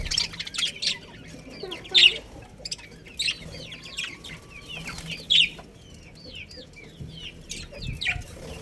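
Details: Colony of budgerigars including a breeding pair: scattered short chirps and warbled notes, with a few sharp, louder bursts every second or so against a quiet background.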